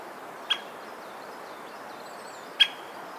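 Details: White-backed woodpecker in Hokkaido, Japan, Ezo subspecies, giving sharp single call notes, two short clicky kyo calls two seconds apart, with faint thin whistles of other birds in the background; recorded on a Nikon COOLPIX P950.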